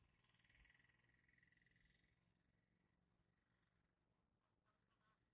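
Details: Greater Flamingos (Phoenicopterus roseus) give a rapid, nasal, croaking gabble that fades after two seconds, over a steady low rumble of wind or water.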